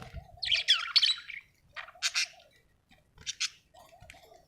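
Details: Budgerigar, an Australian bird, chirping happily: harsh, squawky chatter notes in uneven bursts separated by short pauses, over a quiet, wavering low warble.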